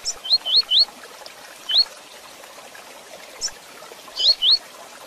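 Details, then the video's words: Double-collared seedeater, fast fibra 'tui tui zel zel' song: a quick run of three rising whistled 'tui' notes, a single one after a pause, then another pair, with faint background hiss. "Coleiro Tui Tui Zel Zel Rápido de Fibra"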